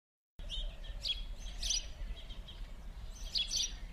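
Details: House sparrows at winter play on rue Gordon, Verdun, Montréal, on 16 January 2016: a few bright, clipped chirps in short bursts, spaced irregularly over low background rumble.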